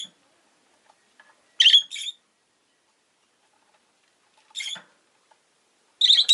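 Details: Piercing double squawk from a rosy-faced lovebird, a quieter single call about three seconds later, then another loud harsh burst at the end after a long quiet pause.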